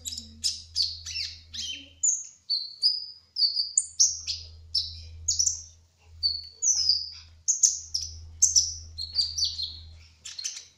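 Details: Continuously singing 'trotol' kolibri ninja hummingbird: a steady chain of sharp, very high chirps and descending slurred notes, each separated by short gaps, over a soft steady low background hum.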